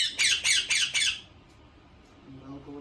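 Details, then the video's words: Pet Indian ringneck parakeet giving four harsh, rapid squawks in a small room over about one second, then quiet with a faint low hum. "Talking Parrot"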